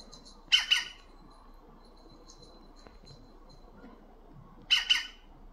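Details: European green woodpecker gives two short bursts of harsh, scratchy double notes about four seconds apart over a faint high hiss and low rumble, unbothered by a nearby cat until a pigeon scares it off.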